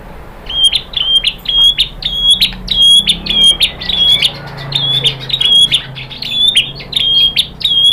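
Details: White-rumped shama sound used as a lure for other birds to reply: a high, sharp note repeated about twice a second in a steady series.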